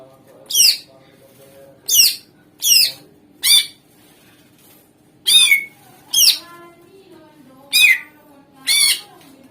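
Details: Lure call of a greater green leafbird meant to make other birds respond: eight harsh, sharply descending squawking notes, delivered singly at irregular intervals of about one second, with a faint low hum in the background.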